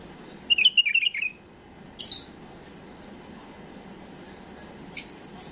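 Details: Tame bulbul singing an error-free song meant for tutoring young birds: one quick warbled phrase of about six rising and falling notes, then a brief high chirp and a later faint high note.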